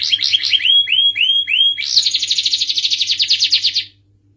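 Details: Starblue canary singing: a few loud down-slurred whistled notes repeated about twice per second, then a quick buzzy high trill that stops abruptly, followed by silence; faint hum beneath.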